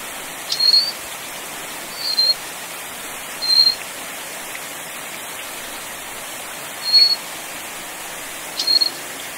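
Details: Little Forktail (Taiwan endemic subspecies Enicurus scouleri fortis, found along mountain streams at 600–2,400 m) gives thin, very high, drawn-out whistles, five in about nine seconds, over the steady rush of a stream.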